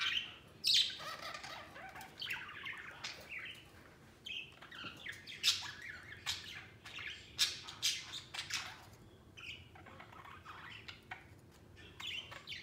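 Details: Pet budgies playing and flying over their cage: a busy, uneven stream of short squawks, chirps and scratchy notes, some louder bursts, with quiet room background throughout.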